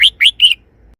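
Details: Three-syllable song of a red-whiskered bulbul: three loud, clear whistled notes spaced evenly, each rising slightly, the last held longest before fading into a quiet background.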